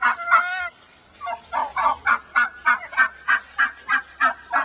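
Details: Agitated laying hen back among the flock that almost killed her opens with a long nasal squawk, then a steady series of hoarse turkey-like clucks, roughly three each second.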